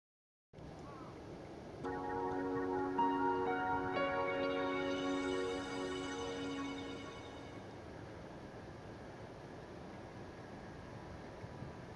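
A steady, low harmonic tone like music or a horn swells for a few seconds over a soft background hiss, with no animal calling.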